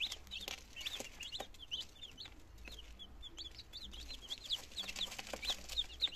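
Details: Chicken chicks, nineteen of them, two days old, in Germany in September 2022, beginning to eat and drink; many thin, high peeps come in quick overlapping bursts, growing busier toward the end, with faint clicks and a low hum.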